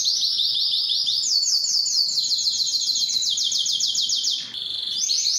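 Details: Singing Belgian canary, used to arouse females for breeding: fast rattling trills around three notes a second clustered into rolls, high and metallic, with a short dip in loudness before the roll resumes.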